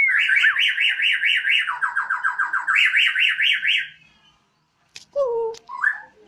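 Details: Borneo white-rumped shama kept at home sings loudly on a terrace, a siren-like run of fast wavering trills, a lower rolling section, then higher wavering again; after a pause come two short down-slurred whistles.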